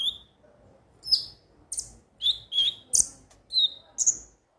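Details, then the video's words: Song of the konin, a ruby-cheeked sunbird, played to make birds sing daily: short high whistles and sliding chirps in brisk separate bursts with brief gaps between. "pancingan suara burung KONIN agar rajin bunyi tiap hari"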